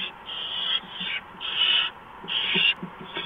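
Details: Barn owls at the nest as a mouse is brought in, early morning in March; drawn-out hissing screeches about half a second long, four in quick succession, with faint scratching underneath.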